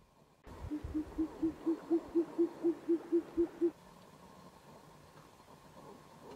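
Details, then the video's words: A short-eared owl (Asio flammeus) in Poland on 22 June 2024 gives its territorial call, a rapid run of about thirteen low, hollow hoots, roughly four a second, growing slightly louder, over faint hiss. "Uszatka błotna głos terytorialny"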